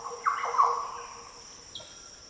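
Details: Short, deep, fluty phrase from a Green oriole in the Daintree rainforest of northern Australia, a quick liquid run of notes in the first second, then a faint higher note, against a steady insect hum.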